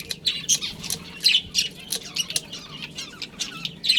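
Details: Budgerigar colony with a breeding pair, loud scratchy chirps and squeaky squawks following each other rapidly, many overlapping voices.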